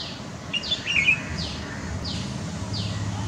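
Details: Red-whiskered bulbul pair, Kolkata, West Bengal, India, 10 April 2020, filmed with a Nikon COOLPIX P900; a brief burst of bright chirps opens, then clear descending whistled notes recur roughly every 0.6 seconds above a low hum.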